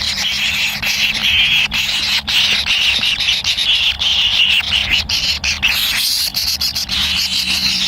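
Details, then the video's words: Baby kingfishers in a nest, eager for food from a parent, keep up a sustained, scratchy, hissing begging chorus. The chorus wavers slightly in pitch and has a few short pauses. "ANAK BURUNG KINGFISER LUCU ‼️TAK SABAR SAAT MAKAN"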